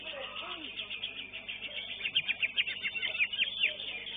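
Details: A greater green leafbird that won first place in its class at a songbird contest pours out rapid, sharp high chirps and twitters that quicken into a dense run of notes halfway through, over a low murmur of background chatter.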